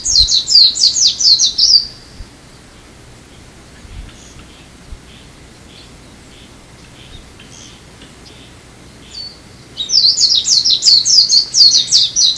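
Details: Japanese white-eye on Amami in February: two bursts of quick, high, slurred twittering notes, one at the start lasting two seconds and another from ten seconds on, separated by quiet with faint distant chirps.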